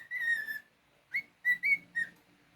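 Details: A pet cockatiel, male, holds one long steady whistle, pauses, then adds three shorter notes, the first rising quickly and the others level or gently falling.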